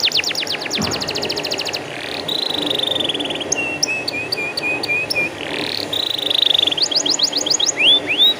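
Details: Canary song used as a lure to get untrained canaries singing: fast high rattling trills, a long even buzzy trill, a run of short repeated whistled notes, then quick upslurred whistles at the end.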